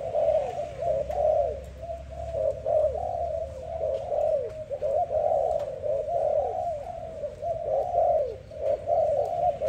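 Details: Dove cooing in the morning: a steady, unbroken run of low, soft coo notes, each rising and falling, following one another about twice a second for the whole stretch.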